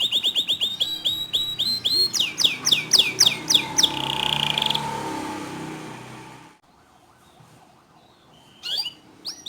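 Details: Canary song used to stimulate other canaries to sing: quick, loud repeated downslurred chips merging into a buzzy high trill, fading into near silence, with one short burst of notes near the end.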